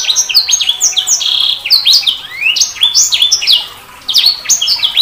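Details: Sanger bird delivering continuous high-pitched song of sweeping whistles, sharp downslurs and rising slides, with a short pause near the end before the phrases resume.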